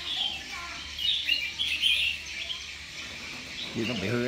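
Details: Pet red-whiskered bulbul in a singing competition, giving a steady run of sharp, high chirping notes and quick twittered phrases, while a man's voice breaks in near the end.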